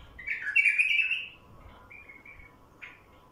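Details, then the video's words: Loud, fluty warbling from a wild bulbul in the first second, followed by a softer short phrase and a single sharp note, over a steady hum. Used to lure wild bulbuls. "تغريد بلبل وحشي لفتح البلابل الوحشية"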